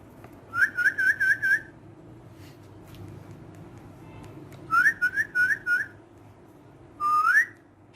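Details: Pet green talking parrot said to speak Urdu, indoors. A run of five short rising whistles, then a second group of four a few seconds later, and finally one longer upswept whistle.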